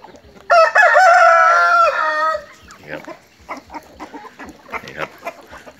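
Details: Morning crow of a game cock kept in a coop in a rubber plantation: a loud, drawn-out crow of about two seconds, followed by rapid clucking and scattered calls from nearby fowl.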